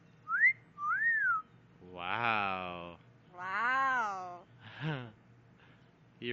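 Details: Pet talking yellow-naped amazon, prompted by its owner to say hello and bye-bye, gives two rising-and-falling whistles, then a string of hoarse, voice-like mimicked words with drawn-out vowels, ending in a short clipped note.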